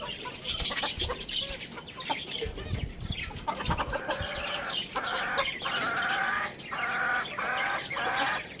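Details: Pet rooster kept with hens, chicks and budgies, crowing loudly: a run of harmonic, hoarse, drawn-out phrases in the second half, broken by brief pauses, after earlier clucks. High budgie chirps and twitters sound throughout.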